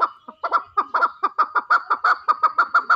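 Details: Fighting chukar partridge giving rapid, evenly spaced clucking chuk notes that quicken slightly, roughly five a second, over a quiet background.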